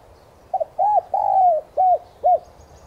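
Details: Spotted dove lure call meant to spur captive doves to coo. The phrase runs as a brief stuttered note, a rounded coo, a drawn-out descending coo, then two separate arched coos, with a soft hum underneath.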